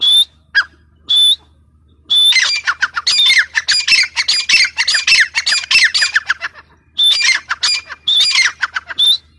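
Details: Grey francolin calling loudly and close, with harsh, squawky notes run together into a fast, dense chattering series, clear whistled accents near the start and end, and brief pauses between bursts.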